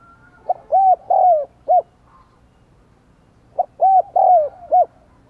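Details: Decoy spotted dove with a 'đồng còi' voice calling to lure wild doves: two matching phrases of a short note, two long arched coos and a closing clipped note, separated by a quiet pause.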